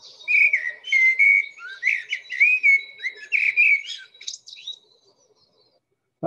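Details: A Common Blackbird sings its rich, thick, 'chocolatey' song, heard from about March onwards, a mellow run of fluty whistled phrases, varied and flowing, ending in thinner high twitters before falling quiet.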